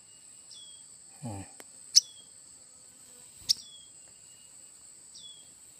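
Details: Tailorbird chicks (red-headed prenjak) in cut bamboo: thin high calls sliding downward, given sparsely every second or so, with two sharp clicks, a brief low human voice and a steady high hum.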